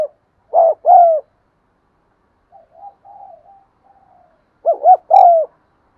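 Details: Spotted dove cooing for caged birds that will not coo. Two loud phrases, each a short double hoot and a drawn-out sliding coo. Between them come faint, softer coos, perhaps from a more distant dove.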